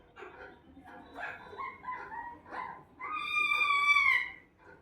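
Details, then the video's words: Pet parrot talking: a few quick speech-like syllables, then a long, loud, clear tone that bends slightly before fading. "parrot talking"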